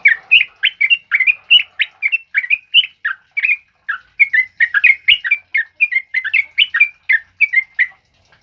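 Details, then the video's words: Rapid, forceful ropel song of a sooty-headed bulbul, played to train other birds: liquid whistled notes pour out continuously, several each second, with a few faint taps underneath. "Suara TRUCUKAN ROPEL UPLIK Lantang Keras Buat Masteran"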